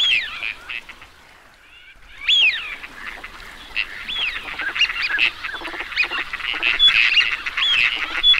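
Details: Teal ducks giving arching whistled calls that rise and fall, set over a steady background of chattering nasal notes. A quieter lull near the start gives way to dense calling.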